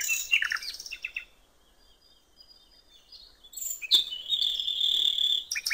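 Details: Common nightingale singing at a riverside in natural surroundings: a loud descending chirpy phrase, a quiet gap, then a long high sustained whistled trill.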